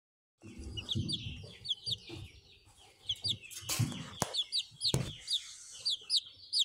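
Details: Buff Orpington chick hatched 17 April 2023, recorded 28 April 2023, giving high, thin downslurred peeps in uneven bursts, with low thumps and handling bumps underneath.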